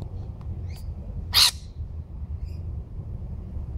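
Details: A baby lorikeet found on the ground by a tree trunk, away from its nest, gives one short, harsh, rasping screech over a steady low rumble of background noise.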